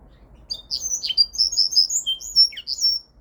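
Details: Song of a mule, a hybrid of Linnet and Canary: high, rapid chirping phrases with clear whistled notes and short descending slurs, lively and continuous with quiet background.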